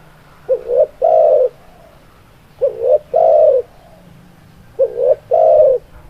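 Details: Spotted dove song: three low, mellow cooing phrases spaced about two seconds apart, each a quick wavering two-part note running straight into a drawn-out, even coo, against a quiet, low background hum.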